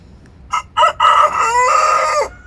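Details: A young Coucou de Malines rooster, nearly five months old and still learning to crow, newly brought into a coop with Bielefelder hens, gives a short, rough crow: two brief opening notes, then a wavering drawn-out note of about one second.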